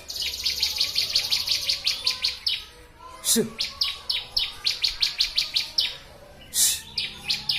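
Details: Master training recording of a bar-winged prinia (ciblek): fast rattling series of high chirps broken by a couple of short noisy bursts, then resuming in regular quick chirps.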